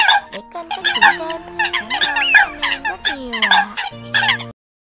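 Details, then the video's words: Eurasian coot calls from a bird-catching lure, October 2020: crowded, harsh, nasal notes and sliding tones for about four seconds, then a sudden stop into silence. "Tiếng Sâm Cầm Mới Nhất 2020"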